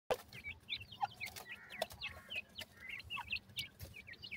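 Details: Several francolins calling together, a dense jumble of short, bright, chirping clucks and upslurred notes overlapping each other throughout, with a few sharp knocks.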